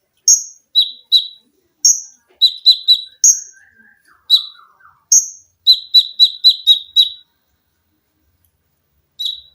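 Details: Olive-backed sunbird in full, lively voice, used to tutor cage birds, firing dense volleys of piercing high chips in rapid runs, with a brief softer lower warble in the middle.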